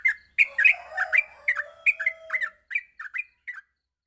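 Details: Yellow-vented bulbul song played in the morning to train young bulbuls: a short run of bubbly chirped notes over a faint low whistle, slowing to a few spaced notes before stopping.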